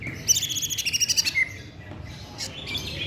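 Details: Greater green leafbird delivering a rapid run of about ten sharp high notes in roughly one second, then softer scattered chirps.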